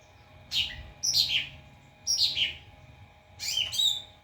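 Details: White-rumped shama singing as a training model for other birds: loud bursts of high, sweeping notes falling through a twittering slur, delivered in four phrases about a second apart, with a steady low hum behind.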